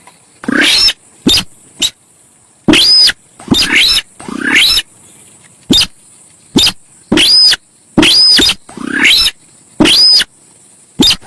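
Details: Javan pied starling song of the kind used to lure birds: long harsh grating phrases alternating with short sharp notes roughly every second, several containing a clear upslurred whistle, with a steady high-pitched hiss behind.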